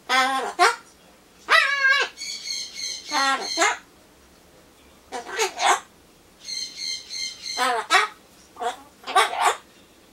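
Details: Pet Solomons corella (Ducorps's cockatoo) talking to itself while waiting for pumpkin: short bursts of harmonic, voice-like mimicked speech (Japanese phrases like "cute", "hello") with rising and falling inflections, separated by brief pauses.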